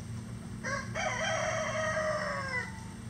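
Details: Farm rooster, one of at least 20 standard and bantam breed roosters crowing all day, gives a single long crow: a short opening note, then a sustained, slightly falling cry lasting about two seconds, over a constant low hum.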